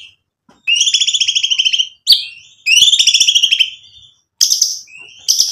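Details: White-rumped shama singing as a provocation for other shamas: two long rapid buzzy trills, each about a second, separated by a sharp note, followed by short scratchy bursts.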